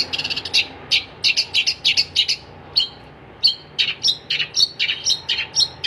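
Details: Long-tailed shrike singing gacor: a fast rattle of tiny chips, then irregular harsh notes mixed with short clear whistled tones, about three notes per second.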